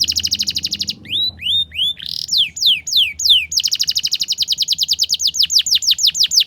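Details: Young canaries' tutor song in the ngriwik style. A fast buzzy trill opens, then a few slow rising whistles and falling slurs, before a long rapid trill of descending notes.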